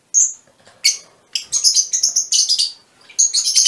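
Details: A lone high squeal, then a quick run of piercing, clipped chirps from mutation Fischer's lovebirds, with a short lull before more chirping.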